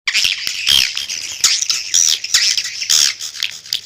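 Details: Swiftlet calls used to lure swiftlets: dense, harsh twittering chirps at high pitch, overlapping in bursts with short gaps, several birds calling together.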